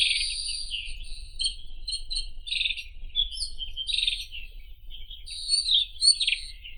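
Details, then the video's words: Irania gutturalis song: a steady flow of scratchy, jumbled high notes with short whistled slurs, in phrases lasting several seconds, over a low background rumble. "Как поёт Соловей белошейка (Irania gutturalis)"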